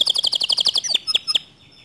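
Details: Canary singing, a song said to excite other canaries into song. A quick run of paired high chirps is followed by three spaced, sharper notes, then the song fades.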